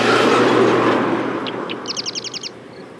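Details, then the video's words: Marsh wren song: after a loud low rumble fades, two short introductory notes lead into a quick trill of about seven repeated doubled notes. "Marsh Wren - Song & Call"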